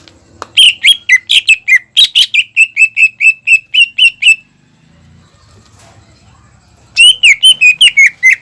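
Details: Greater green leafbird singing strongly, aimed at stimulating young birds to sing: a long, steady run of about sixteen rapid, evenly spaced whistled notes, a brief pause with faint flutter noise, then another quick burst.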